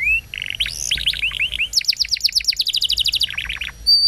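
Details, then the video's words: Canary tutor song used to train young canaries and prompt silent ones: rapid trills of bright upslurred and downslurred notes, a fast buzzy series of rising whistles, then falling chips, with a clear whistle at the close. "Kenari Gacor Panjang !! Masteran Burung Kenari PAUD dan Pancingan Kenari MACET BUNYI"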